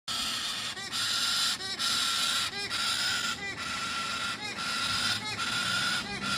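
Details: Baby Galah (Eolophus roseicapilla) begging call: loud, harsh, rasping screeches repeated roughly every second, with a steady broadband hiss between calls.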